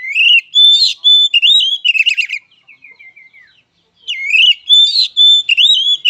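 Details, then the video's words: Oriental magpie-robin (kacer) fighting song, used as emotional conditioning for a kept bird: loud, clear whistled phrases rising and falling, interleaved with harsh chattering bursts, a short pause of soft notes, then renewed whistles. "Suara Kacer Petarung!! Terapi Mental Emosi Kacer"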